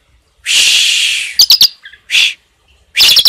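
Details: Asian pied starling giving a tembakan song loaded with cililin phrases, used as a tutor recording: a long harsh rasping screech, a few sharp clicks and chips, a shorter rasp, then a closing burst of rough rattling notes.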